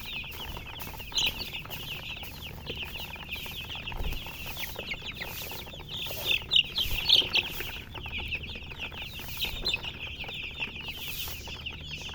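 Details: Colour chickens calling together in a constant stream of shrill, quick peeps, roughly four a second from the flock, with a few louder, sharper chirps standing out midway; faint low rumble underneath.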